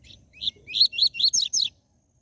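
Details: Caged double-collared seedeater delivering the TUI TUI ZEL ZEL song, used to rouse other captive birds: a soft opening note, then six evenly paced, loud, buzzy down-slurred phrases over roughly a second.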